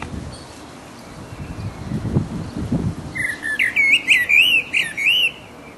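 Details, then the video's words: Mating song from a resident blackbird in full voice. A rich, looping whistled phrase of rising and falling notes comes in the second half, with squeaky high flourishes over it. Faint low rustling precedes it. "The mating song of a Black bird"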